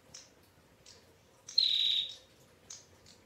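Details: One loud, half-second buzzy trill, high and slightly descending, from a female bar-winged prinia, framed by a few faint high chirps before and after.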